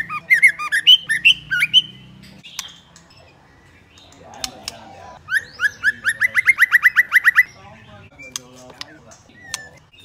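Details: Female white-rumped shama calling to stimulate males into singing: a burst of quick whistled notes, a pause, then a fast run of about a dozen rising whistled notes, with a faint low hum beneath.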